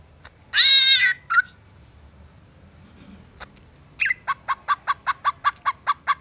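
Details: Greater green leafbird copying cat and chicken sounds. A long meow-like wail and a short chirp come first, then after a pause a rapid, regular run of about twelve clucking notes.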